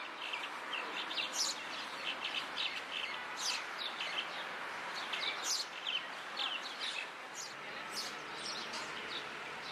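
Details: Cuban Martins in La Habana, Cuba, July 2017: several birds giving a steady stream of short, bright, overlapping chirps and twitters over a constant background hiss.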